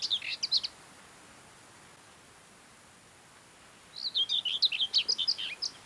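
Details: Common Whitethroat (Sylvia communis) in song, mid-May, Ona Island and Hustadvika area of Møre & Romsdal, Norway: a brief scratchy fragment, long silence, then a hurried, jerky warble of rasping notes lasting nearly two seconds.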